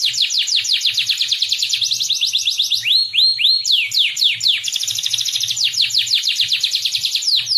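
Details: White-rumped shama tutor song for training other birds: a fast, loud series of sharp high downslurred whistles, broken by a few lower rising swoops around the middle, then more rapid descending notes repeated about twice a second.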